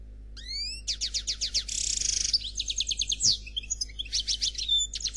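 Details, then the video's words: European goldfinch of the Noir Khalwi type singing a flawless song: high rapid twittering, a liquid rising phrase, a long buzzy trill, then quick repeated chirps and slurred whistles, with no other sounds. "Chardonneret Noir Khalwi Chant sans fautes"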